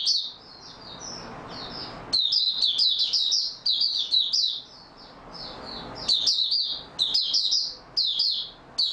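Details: Oriental white-eye (mata puteh) in stable open song, dated 28 February 2022. Soft opening twitters build into loud, rapid, high-pitched chattering phrases, grouped in bursts separated by short pauses.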